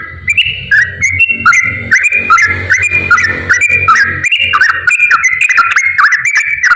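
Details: Straw-headed bulbul pouring out a continuous, loud warble of bubbling whistled notes that step up and down without a break, with a faint low hum underneath; used to prompt lazy bulbuls to sing.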